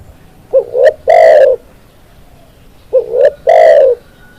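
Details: Spotted dove (tekukur) song played to tutor birds. Two phrases about 2.4 seconds apart. Each has two brief upslurred coos followed by a sustained, louder, hollow coo, with near silence between.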